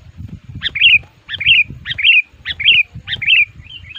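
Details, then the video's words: Sooty-headed bulbul lure bird, agitated and challenging rivals, kept for luring wild males: sharp notes each followed by a fluty downslurred phrase, repeated about every 0.6 seconds, over low knocking noise. "Luar Biasa Burung Kutilang Pikat Ngamuk,Gacor Aktif Menekan Lawan"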